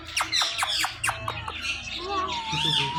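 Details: Pet Indian ringneck parakeets, a talking pair said to say Mittu; a burst of sharp downward squawks, about five in a second, then a long wavering harmonic tone and harsh chatter.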